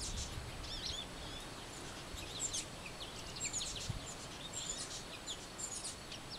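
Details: Adult and baby titmouse at a feeder, the baby giving scratchy, hoarse screaming; short, high, thin chips and twittering notes in quick scattered bursts over a low, steady outdoor rumble.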